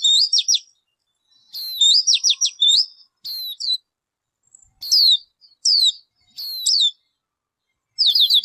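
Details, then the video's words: Thin, bright chirps from the ncwb bird of Hmong naming: short clusters of fast descending notes alternate with single sharp downslurs spaced about a second apart over a quiet background. "Suab noog ncwb qua dib tuaj zoo tiag tiag."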